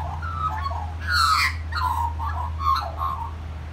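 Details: Magpie singing: short warbled phrases of gliding, fluty notes broken by a harsh, scratchy burst, then further bubbling notes, with a constant low hum beneath.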